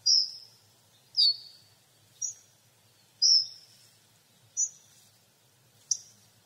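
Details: Hawfinch calls, six sharp, high, ticking notes each with a short falling tail, given roughly once a second against a quiet background with a faint low hum.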